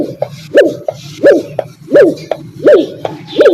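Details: Dove, called fakhta, giving short tonal notes that rise and fall, repeated steadily about every 0.7 seconds, six notes in all, over a low constant hum.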